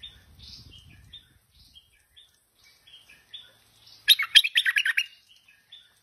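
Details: A tame Stripe-throated Bulbul bursts into a dense second-long phrase of rapid, bubbling notes after several seconds of thin, scattered soft whistles, with a brief low rumble at the start.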